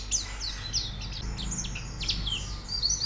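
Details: White-eye training song meant to prompt a bird to sing: quick high twittering notes and sharp downward slurs over a steady low hum and background noise.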